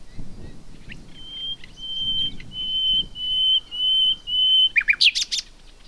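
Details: Common nightingale song: a run of long, level, pure whistled notes repeated about every half second, ending in a burst of sharp, fast, rattling chirps; faint low rumble underneath.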